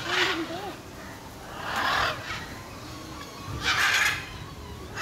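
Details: Macaws giving harsh, raspy screeches in three separate bursts, with people talking in the background.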